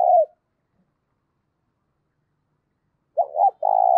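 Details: Spotted dove coo used for stirring up decoy birds, clear and loud: the tail of one low coo, a silent gap, then a double short note leading into a long even coo.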